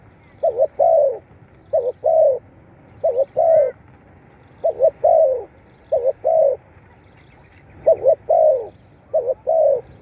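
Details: Spotted dove cooing played to captive birds: eight rhythmic phrases in ten seconds, each two short hoots followed by a longer falling coo, with a faint high chirp midway.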